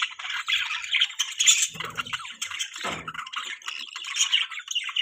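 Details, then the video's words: Pet budgerigars in the morning, parents feeding their chick: dense, busy chirping and chattering, high and warbling, continuing throughout, with brief lower squawky bursts near the middle. "Morning Time Budgie Parrots Feed There Baby 🐥, Beautiful Budgies Chirping Sounds"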